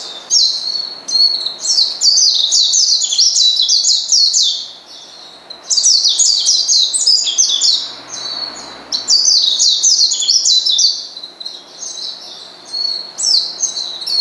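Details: Oriental white-eye provoking a rival with its call: three long runs of rapid, high-pitched twittering chirps, each lasting several seconds, separated by brief softer gaps.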